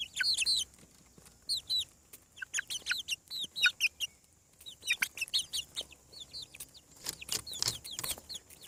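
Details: A dense chorus of hatching chicks on a farm: loud, high, down-slurred peeps in rapid rhythmic runs, several birds calling at once, with some scratchy bursts near the end.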